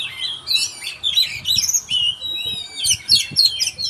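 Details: Oriental magpie-robin singing energetically, quick varied whistled phrases with rising and falling slurs and scratchy notes, delivered in bursts, over a low rumbling background noise.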